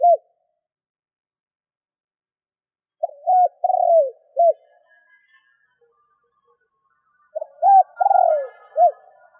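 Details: Decoy spotted dove cooing to lure and provoke wild doves. Two mid-pitched phrases, each of three or four notes: short clipped coos, then a longer drawn-out swelling coo and a final short note. The phrases are about four seconds apart, with near silence between them.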